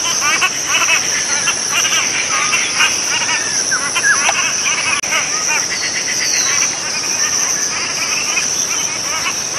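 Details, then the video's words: Cotton pygmy-goose giving rapid cackles in loose series over nearly ten seconds, with a persistent shrill insect hum and a brief dropout midway. "棉鴨/Cotton Pygmy-goose(Nettapus coromandelianus) Call"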